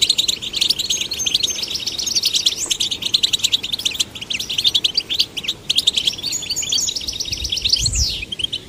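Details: Male and female goldfinch chicks, urged to sing, pour out a dense run of high chattering chirps and trills, ending with a clear rising-then-falling whistled slur and a soft low thud.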